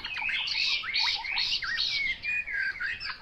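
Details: A brief burst of Chinese hwamei song: loud, tumbling whistles and swooping slurs packed closely together, with a few clear higher ringing notes near the end.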